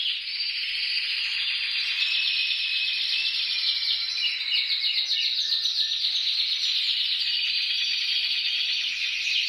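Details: Canary singing used to encourage other canaries, one dense, unbroken stretch of loud fast trills and rolling warble at a steady level.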